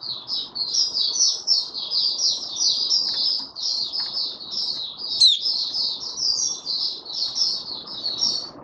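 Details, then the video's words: Oriental white-eye in a cage giving 'buka sing' song on 20 January 2022, five days after deworming: an unbroken stream of high, evenly paced chirped notes for nearly nine seconds over a steady low hiss. "Mata Puteh Raja Video 1 buka sing"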